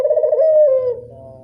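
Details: Lure recording of a local Barbary dove: a single soft, rolling coo that holds steady, then slides slightly down and fades out.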